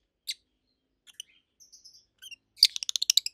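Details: Two adult rosy-faced lovebirds, opaline mutations kept at home, make soft scattered chirps that end in a fast rattling series of shrill high notes.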